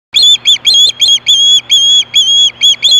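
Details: Osprey at Hellgate in 2014, screaming for fish at 4:19 PM: a rapid run of about nine sharp, high whistled notes, each slightly rising, spaced roughly a third of a second apart over a steady low electrical hum.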